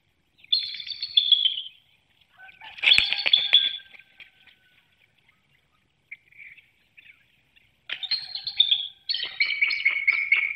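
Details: Early-morning vocal exchange between bald eagle mates at their egg-filled nest, Hanover, Pennsylvania, 18 March 2019, recorded by webcam: high squealing chitters in several bouts separated by quiet gaps with faint soft notes, ending in a dense stuttering chatter.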